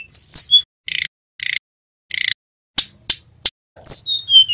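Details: Young male Sunda robin learning the ngerol song, a recording used to lure and train wild-caught birds: high whistled notes with falling slides, short buzzy bursts, sharp clicks, then a long descending whistle.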